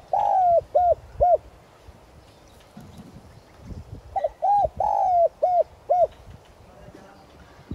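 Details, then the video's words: Spotted dove used as a lure, calling to stimulate wild doves; two deep cooing phrases, each a long sliding coo followed by two or three short, evenly spaced coos. "Cu gáy mồi chuẩn Gáy Gọi + thúc giọng son kích bổi nhanh nổi"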